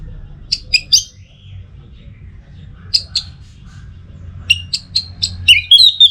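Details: Orange-headed thrush song from North Bali, Singaraja, used as a tutor and lure recording: short high whistled notes in two clusters, then a rapid run of bright chirps rising into a thin trilled flourish, over a low hum.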